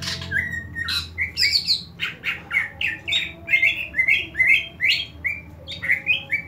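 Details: A greater green leafbird (cucak ijo) shown flicking its tongue (melet), a behaviour not necessarily meaning over-excitement. It gives a quick run of short, bright, slurred chirps, roughly two per second, in varied pitches, over a faint low hum.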